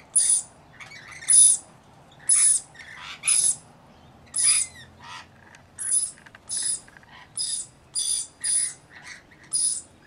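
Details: Rainbow lorikeets, about 40 birds guarding a single baby, keep up a long run of roughly twelve short, harsh screeches at a steady, fairly even pace.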